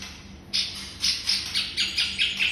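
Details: White-rumped shama master recording for songbird training: half a second of quiet hum, then loud, bright, slurred chirps about four per second, each rising sharply and fading.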